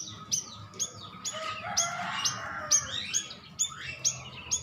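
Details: Lure call of a stripe-throated bulbul to make birds answer: repeated sharp high notes that sweep downward, with a burst of dense, lower chatter in the middle, and steady low background noise.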